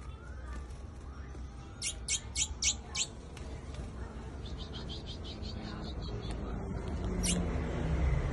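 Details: A rare white chestnut-bellied seed finch gives a quick burst of five sharp, high chipping notes, then a softer run of similar notes and one last loud note, over low background rumble.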